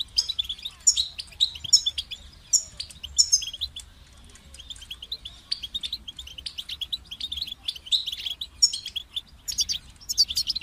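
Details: Sustained European goldfinch song: lively high twitters and tinkling trills in repeated bursts, a quieter spell of soft notes midway, then the bright chattering phrases resume.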